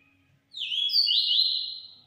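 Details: Transformado-style song of a yellow-bellied seedeater: after a short quiet gap, a loud, sweet whistled phrase with slurred notes that dip and rise, then fade out gradually over about one and a half seconds.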